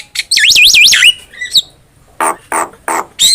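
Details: Javan myna singing energetically as a tutor recording for cage birds: a fast wavering whistle that swoops up and down, a short pause, then several harsh rasping bursts and a final whistled note.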